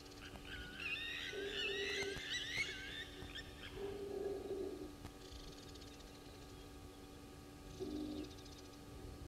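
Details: An Egyptian goose pair at Gowrie dam waterhole, Djuma Game Reserve, Sabi Sand, South Africa, at 06:06 on 06/05/2022. Short, low husky honks come roughly every three seconds over other birds chirping and a faint hum.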